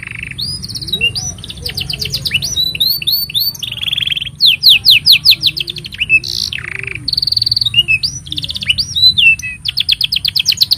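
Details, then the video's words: A canary sings a long, loud, varied song of rapid trills, buzzy rolls and sweeping whistled notes, phrases changing every second or so, over music; the song serves as a tutor for young canaries and to prompt silent ones to sing. "Kenari Gacor Panjang Ini Bagus Untuk Masteran Kenari Paud Dan Pancingan Kenari Bisu"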